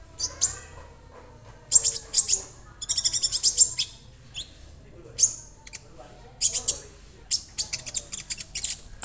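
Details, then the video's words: Young captive Orange-bellied Leafbird, kept singly and already singing: repeated dense bursts of high scratchy chatter and bright chips, separated by short pauses. "KONIN Bahan auto rajin"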